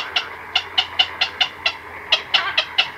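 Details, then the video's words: Close recording from a night colony of black-crowned night herons, chicks and adults: about a dozen crisp clicking notes at an even, quick tempo, with a pause midway and soft background chatter. "Black-Crowned Night Heron. Calls CU From Chicks & Adults In Colony At Night"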